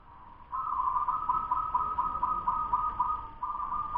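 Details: Local zebra dove aged ten months in a fast song: one long, continuous cooing phrase of rapid pulsed beats lasting about three seconds, over low background noise.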